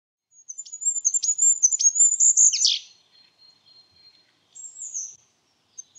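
A Goldcrest sings a very high, thin, rapid series of cyclic notes ending in a quick flourish, followed by a brief high trill.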